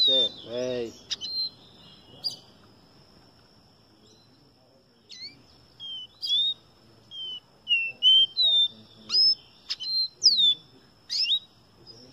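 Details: Caboclinho song of pure, high whistled notes, many sweeping down or up, given in quick spaced phrases that grow denser toward the end; a brief low buzzing sound near the start, otherwise quiet.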